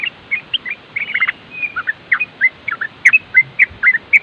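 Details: A trucukan, or yellow-vented bulbul, chatters in the rapid nropel style used to make other bulbuls respond: short bubbly warbled notes, some in quick clusters, with a few thin drawn-out whistles in between.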